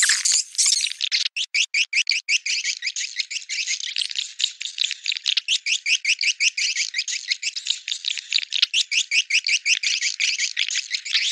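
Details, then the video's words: Swiftlet calling sound used to attract swiftlets to nesting houses: a steady, fast series of clicking, rattling chirps, roughly two or three a second, with no pauses for most of the stretch. "Suara Walet Panggilan Ampuh"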